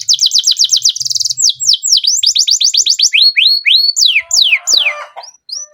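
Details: Varied canary song: fast trills, a dense buzzy burst, then series of rising and falling whistled sweeps that slow toward the end, with a brief rough noise.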